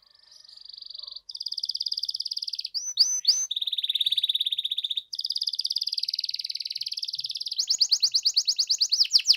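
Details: Canary in full gacor song, played to coax silent canaries into replying: long steady buzzing rolls, a few sharp rising notes, then a quick pulsed trill of bright notes at the end.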